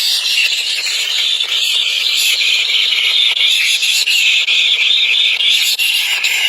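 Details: A steady, piercing high squeal from three hungry baby birds runs almost without a break, bright and shrill throughout.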